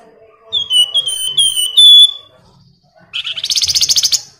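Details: Flamboyan song for prompting other birds: a run of clear, downslurred whistles ending in a strong pure note, then a brief pause and a fast, buzzy, rattling trill.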